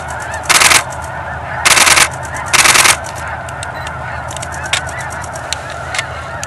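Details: Migrating snow geese, a few thousand strong near Edmonton, take off in alarm and circle. Their massed honking forms a steady clamour, broken early by three heavy bursts of rumbling noise, then a few sharp clicks.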